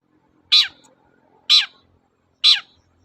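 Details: Long-tailed shrike in lively 'toet-toet' style, recorded as a lure to prompt silent shrikes to sing again; three loud, harsh, downward-sweeping notes, each about a second apart, with a faint low hum between.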